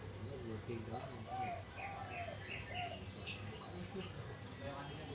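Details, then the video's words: Spotted dove used to lure wild doves: a few low, curved cooing notes spaced about half a second apart, mixed with bright high chirps of other birds and faint murmuring voices. "burung Tekukur sangat cocok untuk pancingan tekukur liar"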